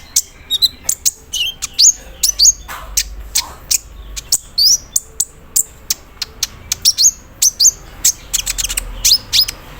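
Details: Olive-backed sunbird set out in the morning, pouring out an embroidery-machine mimicry filling with a rattling cerrr character: fast, crowded high clicks and chips mixed with short upslurred whistles, continuous for ten seconds.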